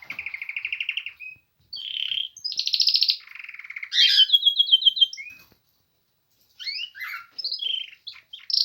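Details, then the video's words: Canary beginning its spring singing: successive buzzy trills at shifting pitches, a fast descending run, a short silence, then scattered quick chirps and twitters. "Canary begining to sing in Spring time/ Pierwszy śpiew kanarka na wiosnę"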